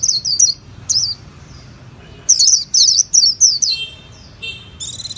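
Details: Japanese white-eye song broken into short, high slurred chirp clusters with quiet gaps, ending in a buzzy trill; a low background hum runs throughout.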